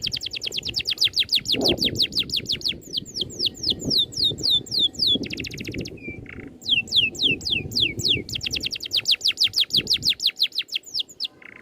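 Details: Tight rolling bird song with neat bursts, used to train caged birds: alternating rapid high trills and runs of descending slurred notes, with brief buzzy notes and short flat whistles between phrases.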